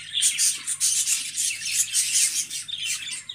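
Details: Budgerigars twitter in bursts of shrill, pulsing chirps and sharp squeaks, rising and falling several times a second, with a low hum beneath.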